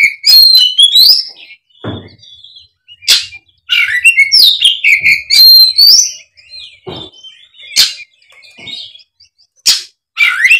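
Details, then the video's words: Oriental magpie-robin singing aggressively in fighting mode, unloading varied borrowed phrases meant to provoke lazy magpie-robins into song. Fast tumbling runs of shrill whistles, rising slurs and harsh ticks come in quick rushes with short silences. "kacer ON tarung bongkar isian pancingan kacer malas bunyi seketika gacor"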